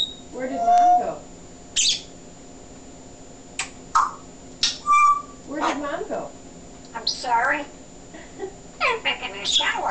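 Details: Male pet African grey parrot in a talking session at home, recorded on a digital camera: a mix of speech-like phrases, short whistles, sharp clicks and squeaks scattered over ten seconds, with people talking to the bird in a small room.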